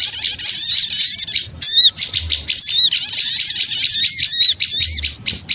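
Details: Rowdy high-pitched twittering from small birds used as a lure, with rapid squeaky notes, steep upward sweeps and buzzy trills, briefly thinning out near the two-second mark.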